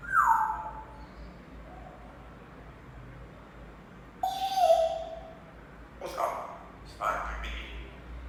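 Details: A pet African grey parrot that does not really like the household's Senegal parrots gives loud, harsh, descending squawking calls in several bursts, separated by quiet pauses, indoors.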